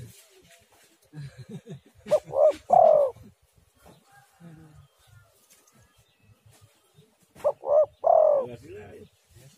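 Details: Spotted dove call played as a lure to make other doves call: two three-note cooing phrases about five seconds apart. Each has a short note, a swelling note and a long falling final coo. Faint low rumbles fill the gap.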